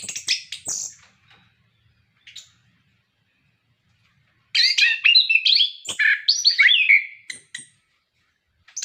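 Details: Orange-headed thrush kept in a cage, singing as a prompt for other captive birds: a brief scratchy phrase, a pause, then a loud rapid warbling run of varied whistles and chatter.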